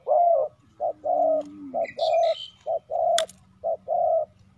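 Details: Spotted dove used as a decoy to call in wild doves, giving steady mellow coos in short and long pairs roughly once a second, with a faint low whistle and a sharp click partway through.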